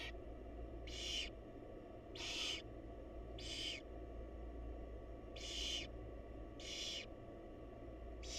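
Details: Barn owl mother with her young, giving harsh, hissing screeches of about half a second each, roughly once a second. A steady low hum runs underneath.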